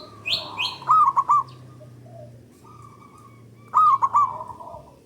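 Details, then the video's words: Local zebra dove with a loud, long voice, used as a lure to stimulate other doves to sing: short groups of staccato mid-pitched cooing notes with a rolling trill, over a steady low hum and a higher chirping bird. "Pancingan Burung Perkutut Lokal Gacor Dor Bersaut Sautan $uara Keras Panjang"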